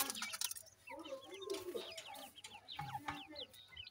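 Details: Several francolin chicks peeping steadily: high, short, down-curving notes repeated in quick overlapping series, over lower chirrups and soft background hiss.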